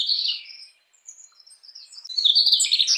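A Mugimaki flycatcher gives high, thin chirps: a quick burst at the start, a few faint notes, then a busier run of sharp tweets toward the end.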